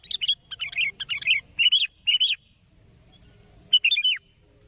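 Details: Energetic sooty-headed bulbul calling out to a rival, a sound used to lure birds for trapping; quick run of rich, gurgling whistled phrases for over two seconds, silence, then one final falling phrase, with faint low hum behind.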